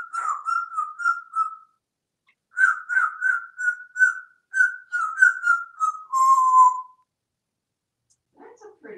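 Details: Male African grey parrot, hatched 1997 and living in a Texas home, sings a learned crow song: short, clear, hooting notes, about three a second, drifting gently downward and ending on a longer low note.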